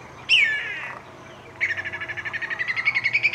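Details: A Whistling kite in Australia gives a clear, drawn-out descending whistle, then a quick run of about fourteen short, thin whistled notes that climb slightly in pitch.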